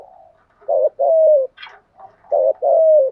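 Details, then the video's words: Spotted dove, male and female, in urgent 'gù thúc' coaxing coos meant to stir trained doves into calling: two sets of low, hollow, mid-pitched coos, each a short note then a longer falling one, with a brief higher rasp between. "tieng chim cu moi gu thuc gáy gọi/ chim cu gáy đất giọng bài bản gù thúc"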